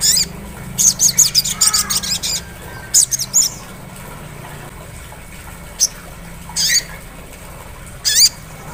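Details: Sunbird 'ngleper' lure for prompting 'ngriwik' singing: a fast run of high, thin twittering notes, then scattered sharp high chirps and downslurred whistles spread across several seconds, over background hiss.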